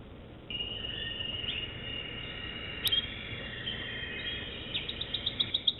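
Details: American Singer canary song, fairly quiet against steady background hiss: long sustained whistled tones with soft warbling, a sharp click midway, closing with a quickening series of short rising notes.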